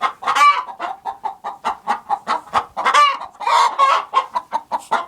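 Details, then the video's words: Chickens in a productive hen house give a steady string of short, evenly spaced clucks, about four or five a second, broken by a few louder, drawn-out squawks from other hens. "Sounds of a productive hen house"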